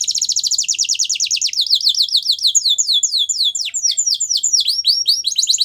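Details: Belgian canary song used for training young canaries: fast repeated descending notes in rolling trills, changing pace into bouncier sweeping syllables, clean and continuous.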